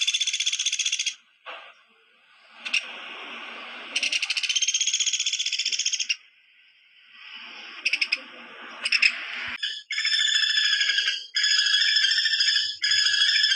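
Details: Woodpecker rattling: fast, harsh pulsed bursts several seconds apart, ending in a quick run of loud, grating rattles one after another, over a faint steady hiss.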